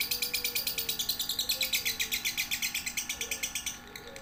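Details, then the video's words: Lovebird sounds in a master recording for training young lovebirds aged one to three months: rapid high chirps repeated about six times a second, steady throughout, over a faint low electrical hum. "Masteran suara burung love bird"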